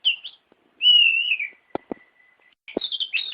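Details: Lure song of a white-rumped shama meant to stir a silent bird: a long loud wavering whistle, a faint thin tone with a few sharp clicks, then a jumbled burst of whistled notes.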